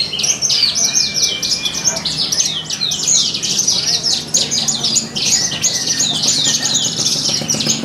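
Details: Competition Horsfield's bush lark singing at a songbird contest in Purbalingga's animal market, Indonesia, delivering fast, varied high chirps and sweeping trills over a din of other caged birds and low crowd noise.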